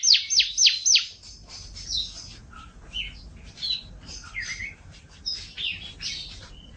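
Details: Canary song from a master training recording in champion style: four loud, sharp downsweeping notes open the phrase, followed by softer scattered twitters, short whistles and chirps at varied pitches over a light hiss.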